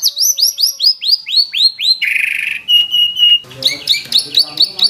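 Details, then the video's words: White-rumped shama in vigorous song with mimicked phrases: a run of rapid rising-then-falling whistled slurs, a harsh buzzy burst, a steady whistle, then choppy chattering notes. "MURAI GACOR BONGKAR ISIAN !!! MURAI BATU ISIAN MEWAH FULL TEMBAKAN"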